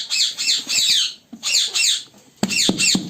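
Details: A colony of African ringneck parakeets gives harsh, high, scratchy screeches in quick overlapping bursts, roughly one a second, with some dull knocks underneath.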